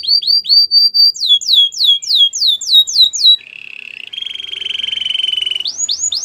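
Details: White canary singing: a run of quick rising whistles, then a string of loud descending swooping notes repeated about four per second, a low buzzy rolling trill, and a steady high rattling tour ending in upward sweeps.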